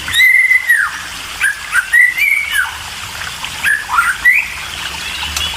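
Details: White-rumped shama chicks begging while being fed; drawn-out whistled calls that bend downward, separated by short gaps, with a light background hiss.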